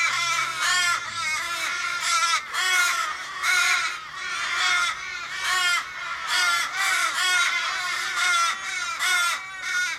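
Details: Street in Kellyville, Sydney, 1 July 2012: 15 or more Australian ravens circle a struggling, possibly car-hit raven; strings of harsh, descending caws roughly once a second, several birds overlapping.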